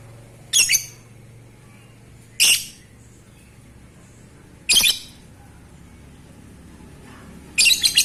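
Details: Lovebird calling to trigger breeding mood, four loud, rasping, high squawks spaced roughly two seconds apart, with a faint low hum underneath.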